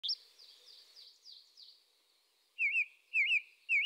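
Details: Eurasian tree sparrow calling: a run of faint, quick high chirps, then louder wavering, twisting notes repeated about every half second.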